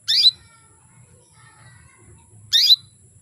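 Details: Female canary calling males to excite them into eager song: two identical loud, harsh, downward-sweeping chirps about two and a half seconds apart, with soft faint tones between.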